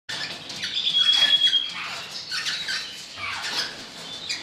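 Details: Golden-mantled rosella recorded in 2013, giving sharp, high squawking calls with a brief clear whistle, several overlapping bursts of chatter at an irregular pace, in a small indoor space.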